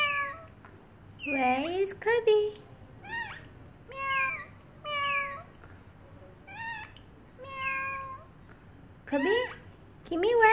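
A parrotlet imitates a cat, giving a string of wavering, nasal meows with short squeaky notes between them.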